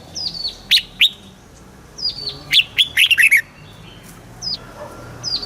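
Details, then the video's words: Red-whiskered bulbul singing a southern master-style song for stimulating caged birds: paired high notes, then a run of quick downward-slurred whistles, with softer high chirps from other birds around it. "เสียงนกกรงหัวจุก สำหรับต่อ หรือ เปิดให้นกคึก"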